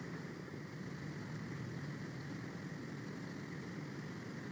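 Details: A steady, droning engine-like rumble and hiss continues throughout, with no animal calls heard.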